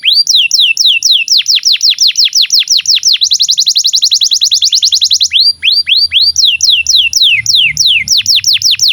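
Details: Canary song used as a tutor for young canaries and birds that stopped singing: bright repeated down-slurred whistles, then a fast even trill, then again slower swooping notes, about two per second.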